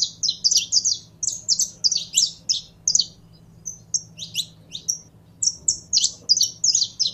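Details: Saffron finch (canário-da-terra), a kept bird being warmed up to sing: bright high chirped notes in rapid bursts, some slurred downward, with short pauses between phrases over a faint low hum.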